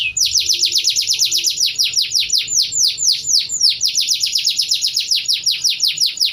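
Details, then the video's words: Near dusk, a canary not yet finished moulting pours out prinia-copied song, a continuous rapid rattle of high descending notes with fainter very high ticks layered above. "kenari ini belum kelar mabungnya tapi durasi sudah nyaris 1 menit isian ciblek"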